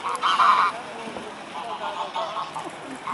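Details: Mute swan at the Blaues Wunder bridge, Dresden, Germany, 14 October 2017 at 2 pm: one loud, harsh, nasal honk at the start, followed by softer scattered calls in the background.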